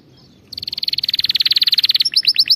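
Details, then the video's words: Canary song used as a tutor for training canaries to sing. Half a second of near silence, then a fast, even trill of about thirty rapid high notes. It closes with a few slower, doubled chirps. "غناء كناري دمار لتدريب طيور الكناري 🐦 على الغناء الصحيح"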